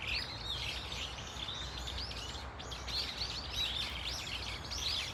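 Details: Brown-eared Bulbuls in a flock at Dunsan Grand Park, a thick chorus of harsh, high, rapidly repeated squeaks and chirps, briefly thinning midway, over a low hum.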